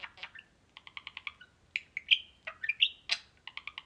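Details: Two pet budgerigars (one with a foot injury) chattering in quick bursts of bright, buzzy chirps and short warbles, with a few sharper squawks and rising whistled notes mixed in.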